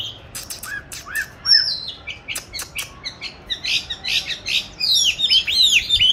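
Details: Caged oriental magpie-robin hung in a good place for song practice, recorded 22 March 2021: clicks and short chirps build into a dense, bright run of twisting whistled notes.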